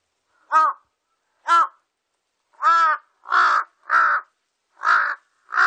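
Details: Large-billed crow recorded in 2020 giving seven hoarse caws in under six seconds; the first two are shorter and cleaner, the later ones quicker and rougher, against a silent background.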